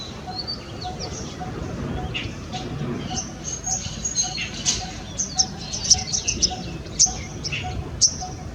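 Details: Coppersmith barbet repeating a low, hollow tuk at an even rhythm, while other birds add sharp high-pitched chirps and squeaks that grow busier toward the end.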